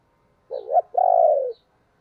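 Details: Decoy spotted dove calling: a short rising coo, a brief pause, then a longer, steady, throaty note that tails off downward, heard once against silence.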